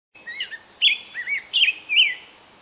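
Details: Wild black-headed grosbeak singing beside the Fraser River in Delta, British Columbia, Canada, on 25 May 2021: rich, warbled, rising-and-falling whistled phrases in quick succession, some slurred upward, others looping, over quiet background.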